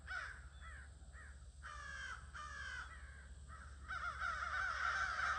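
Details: A near-evening crow gathering, 22 August 2026: separate rasping caws at first, with short gaps between them, then many birds calling at once in a thick, loud, overlapping chorus at the end.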